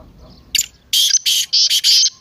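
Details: Excited 'masti' call of a partridge (teetar), used to set a quiet partridge calling: a short sharp note, then four long, loud, rasping buzzy bursts closely spaced.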